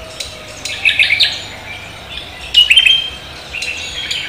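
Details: Javan green magpie singing energetically in the morning: two short clusters of bright, squeaky whistled notes about two seconds apart, separated by quiet pauses, over a low steady background hum.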